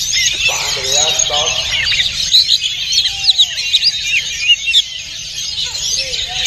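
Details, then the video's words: Oriental magpie-robin without a leg ring, singing with its tail spread at a national bird-singing competition: dense, rapid high whistles, chatters and trills with sharp loud notes, while a man's voice talks briefly at the start. "SUARA BURUNG : Kacer Hutan Tanpa Ring Rebut Hadiah Jutaan Buka Ekor Di Lomba Nasional"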